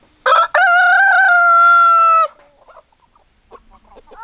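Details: A rooster crows loudly: a clipped opening note, then a long steady drawn-out crow held for almost two seconds, followed by soft hen clucks in the background.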